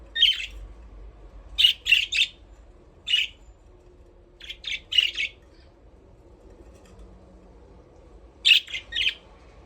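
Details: Budgie parrots at play in an aviary, chirping in bursts of two to four quick scratchy notes separated by pauses of a second or more, with quiet background hum.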